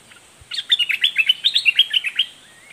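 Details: Southern 'dok taeng' red-whiskered bulbul singing its doubled, fierce song: a fast, chattering chain of about a dozen sharp whistled notes stepping up and down, lasting nearly two seconds.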